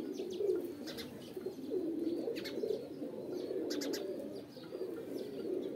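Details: Deep, rolling pigeon coos in a continuous chorus, with several short high chirps and clicks standing out above them.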